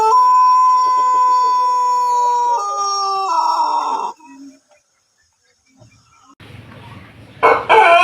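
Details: Long melodious crow of a Pelung chicken, an Indonesian ornamental breed from Cianjur, West Java: a steady drawn-out tone held about two and a half seconds, then stepping down twice before ending, followed by quiet and a short burst of noise.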